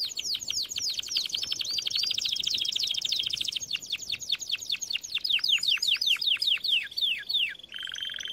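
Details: Canary singing a training song: quick chattering trill of high notes, changing into a series of sharp descending chips, then a brief lower buzzy phrase at the end.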